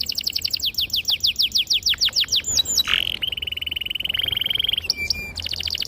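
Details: Canary in long lure song for young birds: a rapid series of sharp falling whistles, then an extended steady rolling trill and a closing burst of quick chirps.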